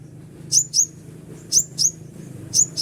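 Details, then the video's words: Konin call used to lure wild konin: thin, very high downslurred notes, mostly in pairs, about once a second over a faint low hum. "suara asli panggilan burung konin untuk pikat konin liar ampuh"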